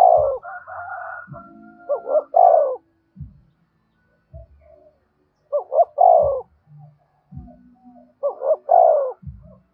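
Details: Spotted dove 'thúc bổi' cooing to attract other doves. Three deep, hollow phrases, each with short notes and a longer coo, come at roughly three-second intervals over background tones and dull knocking sounds.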